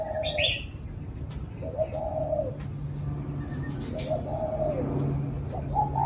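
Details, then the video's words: Spotted dove giving repeated low, mellow coos in short phrases, a longer held note following each, against constant low-pitched background hum and a brief higher chirp at the start. "CU GÁY THỔ CỤ"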